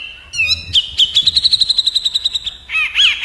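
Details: Rapid 'tembak' shooting song from a grey-cheeked bulbul (cucak jenggot) trading fire with an olive-winged bulbul (kapas tembak): slurred whistles open into a quick string of sharp notes, ending in bending, warbled phrases.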